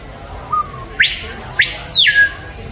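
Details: Screaming piha at San Diego Zoo giving a loud, ringing whistled call: a soft low whistle, then two sharp upsweeps to a high piercing note, the second held briefly before sliding down at the end.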